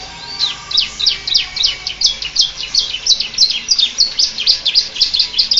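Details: Canary with a ciblek-like song pours out rapid high chirps that grow louder and quicker over several seconds, with little else audible.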